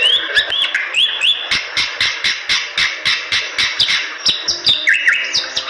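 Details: Bali myna, a medium-sized Sturnidae songbird of western Bali, giving rising whistled phrases at the start and end, with a stretch of fast regular ticking notes in between.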